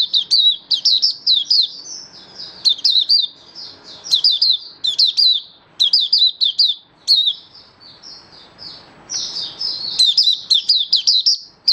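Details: A Malaysian Oriental white-eye (mata puteh), a kept songbird, sings a rapid, continuous stream of thin, high twittering notes, with sharp chips and warbled phrases tumbling together almost without pause.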